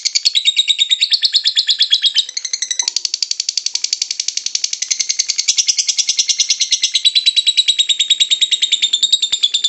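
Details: Lovebird giving its long ngekek chattering song, played as a lure to make other lovebirds sing: a rapid, unbroken run of high, harsh buzzy notes, with a slight shift in tone near the third second.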